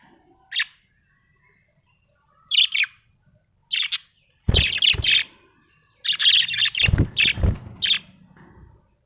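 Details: A happy budgie chirps in clusters of quick, high, scratchy notes that grow busier toward the end, mixed with some low thumping noises.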